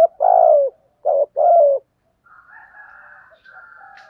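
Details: Decoy spotted dove with a thổ-style urging coo for training and luring wild doves; three low, husky falling coo notes, followed by a quieter, higher drawn-out murmuring sound.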